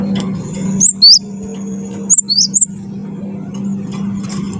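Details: Cinereous tit, wingko type, singing to draw out song from other birds: two short groups of high, piercing whistles, the second of three notes, against a steady low hum.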